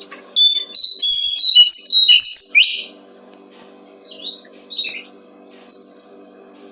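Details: Brown-streaked flycatcher singing, used to train songbirds: a fast string of high, sweet whistled and chirping notes ending in a rough downward note, then a few sparse chirps against a low steady hum.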